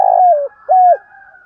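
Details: Spotted dove cooing in the morning, a recording used to prompt caged decoy doves to coo. Two loud, hollow mid-pitched coos: a longer note sliding down, then a short arched note, with a faint steady tone behind.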